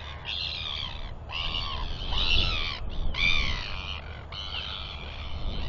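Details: Royal albatross colony during a parent's feeding visit to its chick, with chicks wheeing and an adult clacking. Harsh, raspy, braying calls come in four drawn-out bursts of about a second each over a steady low rumble of wind.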